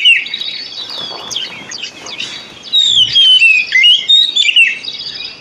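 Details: White-rumped shama song played as a lure to encourage other shamas to sing, high varied whistled phrases with rapid slurred notes and chirps, louder bursts in the second half, steady background hiss.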